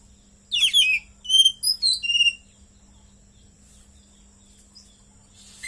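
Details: Kept Oriental magpie-robin singing in full 'gacor' form, its song filled with learned cililin phrases: a rapid burst of bright, varied whistled and chirping notes lasting about two seconds, then near silence over a faint steady hum.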